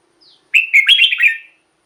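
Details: A single short burst of cheerful, quickly slurred whistles from a red-whiskered bulbul, preceded by a faint thin note; decoy song for caged bulbuls.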